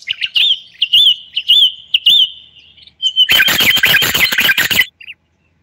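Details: Moroccan common bulbul in a live broadcast gives short, evenly spaced whistled notes about every half second, then breaks into a loud, dense warbling burst punctuated by sharp clicks before stopping abruptly.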